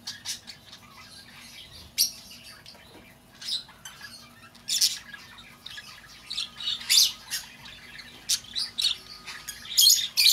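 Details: Calls of a lovebird for attracting an escaped bird back: sparse sharp squawks and squeaks at first, growing busier and louder toward the end with piercing high chirps.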